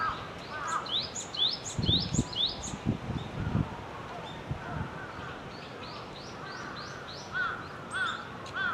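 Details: Wild Java sparrow song of quick high chirps in short bursts, with lower slurred calls from other birds in between and faint low thumps of background noise.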